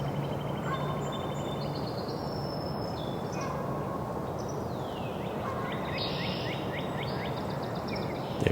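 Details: Northern Cardinal singing on April 18 in Angrignon Park, between the pond edge and the forest, with Canada geese in the backdrop: faint, clear slurred whistles shifting to quick downslurred notes, over a steady low rumble.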